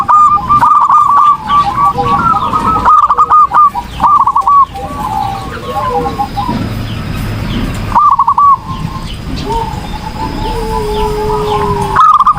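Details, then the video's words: Zebra dove singing gacor-style as a training recording: bursts of quick, rolling coos alternate with quieter stretches of faint chirping, then a sustained lower whistle-like tone and a fresh burst of cooing at the close. "PERKUTUT GACOR || COCOK UNTUK MASTERAN || SUARA BURUNG PERKUTUT"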